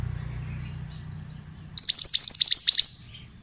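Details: Male pied bushchat in a therapy recording for young birds: after a low hum, a quick rhythmic string of about eight sharp high chips, each falling in pitch.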